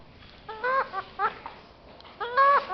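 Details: Pet parrot said to talk in four languages, uttering three short harmonic, voice-like syllables with wavering pitch, separated by quiet gaps over a low background hum.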